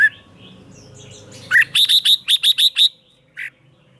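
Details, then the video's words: Morning training song of a caged red-whiskered bulbul: soft faint notes lead into a rapid series of about eight loud, evenly spaced ringing whistles, followed by one lower closing note. "Luyện chào mào hót sáng"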